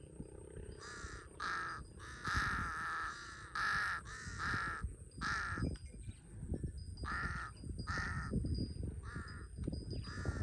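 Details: Repeated hoarse cawing from a large-billed crow in Cambodia, found near water: about ten rough calls, some in quick pairs, with low-frequency background noise throughout.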